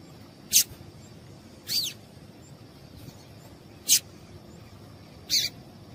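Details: Short, high calls of a female yellow-bellied seedeater, used to set a male singing: four notes at irregular gaps of one to two seconds, some with quick falling sweeps, over a faint continuous whine.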